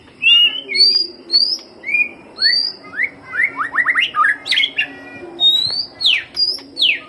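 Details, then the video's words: White-rumped shama song played as a lure: a lively run of varied loud whistles and slurs, with rapid downward-sweeping notes and high rising whistles in quick succession. "Pancingan Suara Murai Batu"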